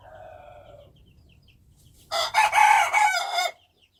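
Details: Wild chicken crowing: after a faint low hum, one loud, harsh, drawn-out crow lasts about a second and a half, with rough, broken pulses, then stops abruptly into silence.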